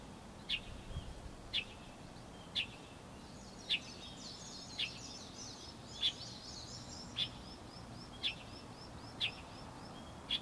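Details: Light-vented bulbul uttering about ten short, bright, high notes, one per second, while faint twittering from other birds rises in the middle.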